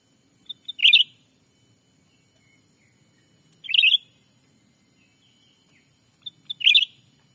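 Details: Black-capped bulbul call played as a lure for catching wild birds in a Sumatran forest: three brief rich chirping phrases roughly every three seconds, each preceded by faint high pips, with soft low rustling beneath.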